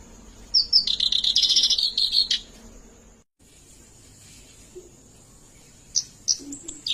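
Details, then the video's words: Oriental reed warbler, the white-browed kerak basi form, giving a gacor ngerol rolling song: a harsh, buzzy chattering burst of about two seconds, then near quiet with a faint background hiss and a few scattered squeaky notes. "Kerak basi alis putih gacor ngerol"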